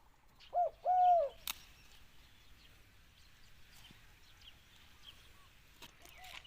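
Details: Pet dove (nok khao) crowing when asked to sing once more: two short low cooing notes, the second longer and bowed, near the start, then mostly quiet background with faint clicks.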